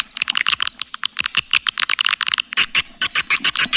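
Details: High whistled lines over quick twittering clicks in a swiftlet lure call, changing halfway to a steadier high tone with spaced chirps.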